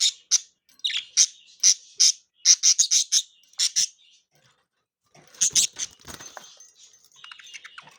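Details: Three pet budgerigars playing and getting excited, giving rapid bright chirps and squeaky notes in quick bursts for about four seconds, a short pause, then scratchier chatter and a softer warbling trill toward the end.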